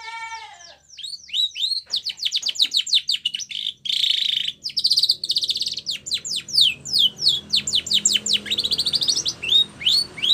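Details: Spanish Timbrado canary, a white bird, singing training song for young canaries: opening stacked descending notes, then rapid high downward sweeps, a buzzy trill and long strings of repeated sharp notes with light background hiss.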